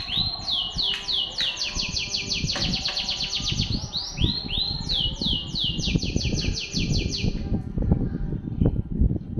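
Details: Canary in Banda Aceh delivering masteran song: long runs of rapid, ringing trilled notes that change pace and pitch several times, then stop after about seven seconds, leaving only low rumbling background noise.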